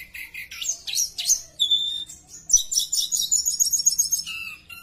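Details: Javan bush lark in lively song, used to coax other larks into singing: buzzy twitters, a steady thin whistle, then a dense string of sharp high chirps with a lower falling whistle at the close.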